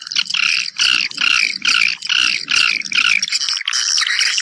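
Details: Swiftlet nest-calling sound: bursts of bright, warbled chirping repeat about twice a second in a regular pulsing rhythm over a faint low hum, ending in a steadier twitter.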